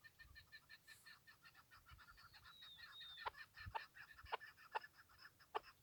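Chukar partridge giving a rapid series of harsh, clucking notes with a nasal edge, repeated several times a second, with a few sharper clicks near the end.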